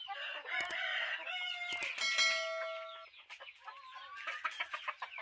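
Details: Chickens giving a mix of harsh squawks and rapid clucks, with one long straight tone around the middle, then quieter clucking toward the end.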